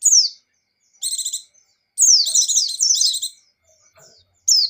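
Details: Buxtoni white-eye in 'gacor' and 'ngecir' song: falling high whistles and buzzy stacked trills in a quick phrase, then a longer mixed run of slurred and rasping notes, ending in another descending whistle.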